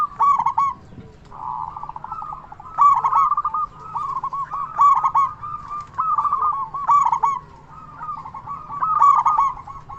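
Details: Loud local zebra dove song used for luring and stimulating other doves: continuous rolling, warbled coos with accented bursts about every two seconds, and a steady low background drone.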